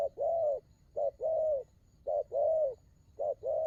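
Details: Spotted dove performing đồng gù rước coos: four clear two-part phrases, a brief low note then a longer hoot that swells slightly and fades, spaced roughly a second apart.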